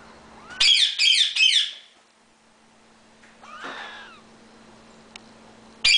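A ring-necked parakeet gives three quick, harsh, high screeches in a row, then a softer squawk and one more loud screech, in a quiet room.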